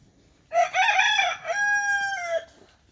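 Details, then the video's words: A rooster at a rural homestead beside a pond, papaya and betel-nut trees, gives a loud, ringing crow: a rough opening phrase, then a long held note that drops away. "মোরগ তার কাজ করে যেতেছে, মোরগ তার হুক্কা হুয়া ডাক দিয়ে যাচ্ছে দেখেন।"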